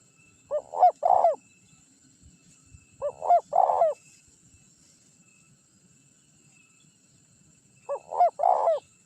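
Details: Spotted dove lure song from a champion bird, meant to provoke wild doves into answering; three crisp phrases about three seconds apart, short husky coos then a longer buzzing coo, over near silence with a faint hum.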